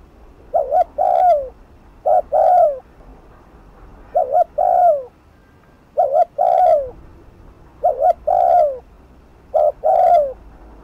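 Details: Urging 'thúc gù' coos of a spotted dove, used to excite wild birds. Six phrases arrive about every two seconds, each a clipped two-part hoot then a drawn-out descending coo.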